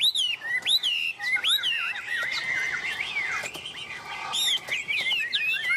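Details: Tame Chinese hwamei sings vigorously while held on a hand, pouring out varied looping whistles and zigzag trills in a continuous, lively stream.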